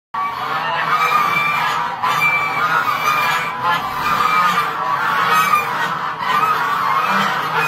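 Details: White Chinese geese honking together, with loud, nasal, overlapping calls that run on without a break.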